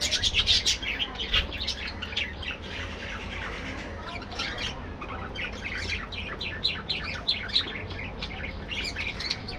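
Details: Busy budgerigar warbling from a breeding colony aviary in the morning: dense, continuous overlapping chirps, clicks and squeaky notes from several birds, loudest at the start, over a faint low hum.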